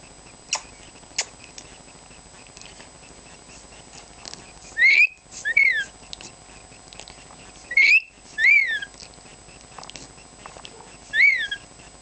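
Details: Pet lory whistling: bright, clear notes that rise and fall quickly, given in short bursts of two around five and eight seconds in and once more near the end, with faint clicks between and a quiet room behind.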